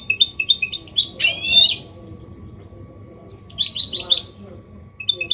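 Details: Goldfinch hybrid (mule), clean song in Málaga copy style: quick high twitters broken by a harsh, buzzy rasp, then more rippling chirps and a second twittered phrase.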